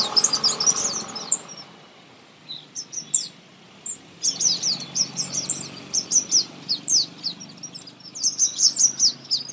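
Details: Baby birds being fed close up burst into clustered high chirping, fading after a second, then returning as a long string of rapid shrill notes.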